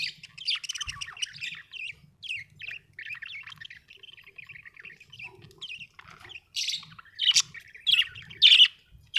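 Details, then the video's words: Budgerigar chirping: a long, rambling warble of quick mid-high twitters, then several loud, sharp chirp bursts spaced about half a second to a second apart. "budgie chirping sound"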